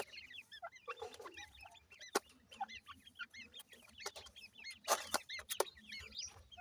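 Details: ['Ring-necked pheasant chicks, many calling at once: rapid high arched peeps stacked densely, with sharp clicks and a soft rustle in the background.']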